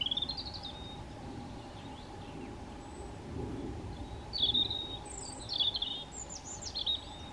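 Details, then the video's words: On a hiking trail at Meteora, Greece, a European robin gives high sliding whistles and rapid twittering phrases at irregular intervals, with a constant low hum and light outdoor noise underneath. "The cheerful and melodic chirps of a European Robin"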